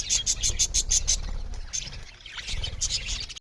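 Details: Several budgerigars chirping loudly while eating; bright, buzzy chirps repeat in quick bursts for the first second, then the warbling chatter turns looser and overlapping, over a low rumbling background.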